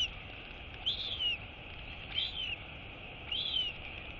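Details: Royal albatross chick QT, woken by her mother arriving to feed her, gives thin, high, falling whistled "wheeing" calls, one roughly every 1.2 seconds, over a steady background hiss; 23 August 2022.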